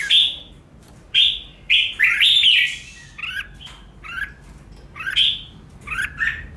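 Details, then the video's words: Red-whiskered bulbul competitive song for training birds: short, emphatic whistled phrases and two-note chirps, repeated at irregular intervals of about a second, with soft background noise. "Chào Mào Kích Bổi Lên Lửa!.. Luyện Chào Mào Hót Đấu Căng"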